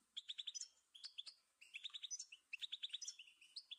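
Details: Goldfinch song for training songbirds, heard faint and distant: repeated bursts of quick chattering notes, each burst about half a second, with twangy mid-high notes and sharper high chips between short gaps.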